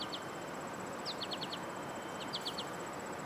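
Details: Several American Goldfinches give quick, high, slurred notes in bursts of three or four on a July day, while American Robins also call nearby, with a steady insect hum and soft outdoor hiss.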